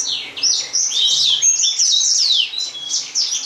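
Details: Gouldian finch (Chloebia gouldiae), calls.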